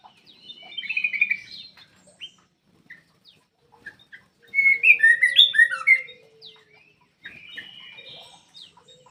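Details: Black-crested bulbul in full song, used to prompt quiet birds to sing; chattering phrases, a loud burst of quick tumbling notes in the middle, and a faint low steady tone.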